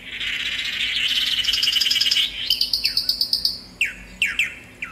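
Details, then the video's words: Swallow-tailed manakin (tangará) producing a rising buzzy note that turns into a rapid high pulsed trill, followed by a few widely spaced sharp descending chips. "Canto do pássaro "tangará""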